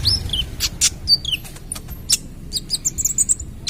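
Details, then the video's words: Lively song of a mottled-stage ruby-cheeked sunbird, used to draw in other birds: quick high whistles sliding downward, interspersed with sharp ticks and clicks in an irregular, busy sequence over low rumble. "Masteran Kolibri Ninja (Konin) Trotol Gacor Full Tembakan - Cocok Untuk Pancingan"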